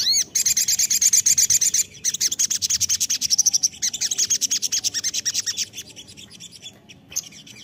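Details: Crested jay lure call: a sustained, fast mechanical rattle of sharp high notes running over several seconds, opening with a swooping arched note and fading toward the end.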